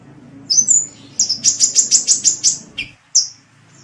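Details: Sunbird (kolibri) singing actively, recorded as a master song for training cage birds: thin high whistled notes, then a rapid run of about nine sharp, evenly spaced chips ending in two clipped high notes, with a faint low hum underneath.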